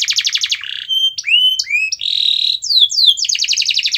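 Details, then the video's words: Canary singing, used to prompt a silent canary to sing: rapid pulsed trill, then a flat whistle, rising slurred notes and a sustained buzzy phrase before another fast rattling trill. "Kenari Anda MALAS BUNYI, Coba Putar Video Ini !!!"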